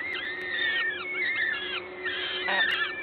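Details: Peregrine falcons at their nest in Gdańsk, Poland, 14 May 2022 at 11:07, while a parent feeds. Long, thin whining notes slide and overlap, plus a brief rustle near the end, over a low hum.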